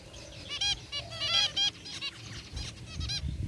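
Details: Zebra finches chirping in an aviary cage, a group of white and gray birds: several loud nasal beeps in quick succession, then softer overlapping calls and low background noise.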